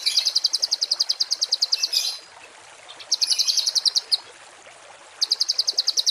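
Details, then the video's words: Masteran training song of a songbird in rough 'tembakan kasar' style for cage and contest birds. Three bursts of rapid, high-pitched, rattling repeated notes, the first long, separated by short pauses with faint background hiss. "MASTERAN BURUNG TEMBAKAN KASAR"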